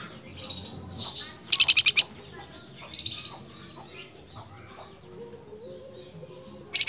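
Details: Flamboyan bird calling to its female, a fast rattle of about six clipped, buzzy notes in half a second, surrounded by many faint high gliding whistles from other birds.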